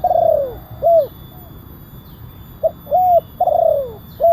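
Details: Spotted dove lure call in big-voiced kuk 1 style, used to bring wild doves down and to train birds: a long falling coo and a rounded coo, then a fresh phrase of a short hoot, an arched coo and a drawn-out descending coo.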